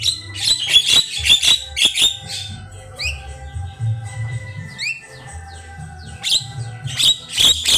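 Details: A jalak kebo, or Javan myna, singing a rich, varied tutor song for other birds: scratchy bursts mixed with quick rising whistled sweeps around the three-second mark, over a low droning hum.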